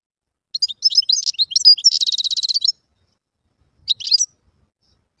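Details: Wild European goldfinch singing a high, tinkling twitter of quick varied chirps. A fast buzzy trill follows at about two seconds, then a pause and a short final burst of twittering notes.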